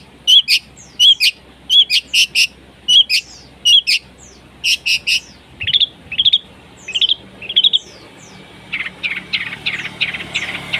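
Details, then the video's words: Harsh masteran material from a long-tailed shrike, meant to coax a silent shrike into song: clipped, shrill double notes repeated roughly every half second, closing with a quicker scratchy chatter. "Cendet gacor ful masteran materi kasar || PANCINGAN CENDET MACET BUNYI"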